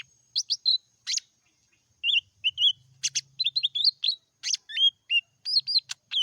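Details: Lesser green leafbird in meratoh song: bursts of chirps and sharp clicks, a brief pause, then a dense run of whistled, upslurred and buzzy notes mimicking a varied chatter, with a faint low hum.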